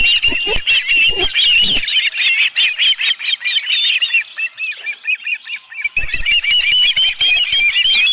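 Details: Dunrovin Ranch osprey nest, 11 July 2018, live fish delivered: loud high cheeping at first, softening to quieter wavering whistles for several seconds, then a fresh burst of rapid sharp chirps.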